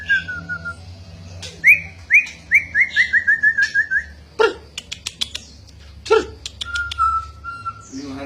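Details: Lively kept white-rumped shama competing in song with its owner: a run of quick downslurred whistles repeated about twice a second, then sharp clicks and a held, steady whistled note.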